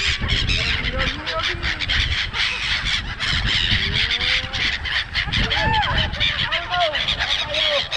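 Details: Many seagulls at Songdo, Busan, South Korea, crowding together: loud drawn-out mewing calls that rise and fall, overlapping from several birds, over a noisy background of wind and murmuring people.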